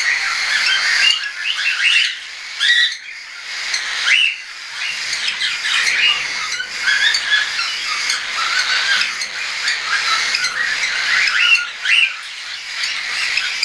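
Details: Young hand-tame cockatiels, some already feeding on their own and some not yet, flying about, recorded 10 September 2012; harsh rising and falling squawks and chirps overlap continuously from several birds, with brief quieter gaps.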